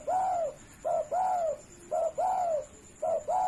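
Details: Vocal, tame spotted dove without a cage, sung for training: three cooing phrases in quick succession, each a short soft note leading into a longer, bowed, mellow coo.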